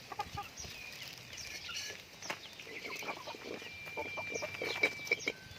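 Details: Pet chickens being raised, a flock giving a busy mix of short high chirps and soft clucks, one thin steady whistle-like tone held near the end, with background rustling.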